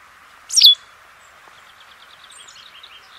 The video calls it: 白面白鶺鴒/White Wagtail(Motacilla alba)singing